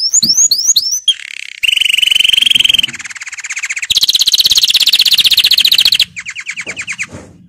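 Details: Singing canary used as a training song: rising whistled notes give way to long, powerful, rattling trills that shift pitch several times, followed by a softer stuttering roll.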